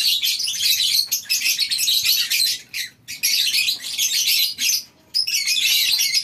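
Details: Morning at a lovebird breeding colony aviary: many birds screeching and chirping at high pitch in long loud bursts, with two short pauses in between.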